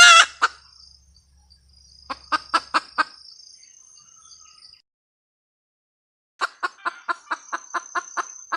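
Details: Cackle of a red junglefowl hen: a loud harsh squawk, a short burst of clipped clucks, a silent stretch, then a steady series of sharp clucks, with a thin high insect drone behind.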